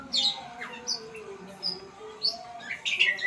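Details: White-rumped shama learning sounds: isolated high, sharp chirps spaced by short gaps, a few lower whistles between, and a denser flourish of bright notes near the end.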